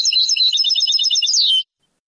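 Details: Moroccan Sebtaoui-style song of the European goldfinch from a rare old cassette: dense, high, rapid twittering that rises slightly toward the end, then stops abruptly into silence.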